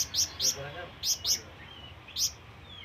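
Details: Flamboyan bird calling to draw in companions or rivals: five short, bright, high chirps in pairs and singles, with pauses between them over a quiet background.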